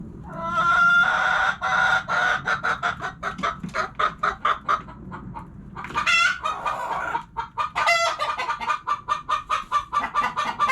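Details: Hens clucking in a steady run of short, rapid clucks about two per second, broken near the start and middle by longer, louder drawn-out squawks that rise and fall.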